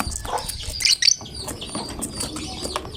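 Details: Lovebird in steady "gacor" singing form, a fighter bird said to prompt any other lovebird to join in; dense high, shrill chattering with two sharp piercing bursts near the middle, over a low background rumble.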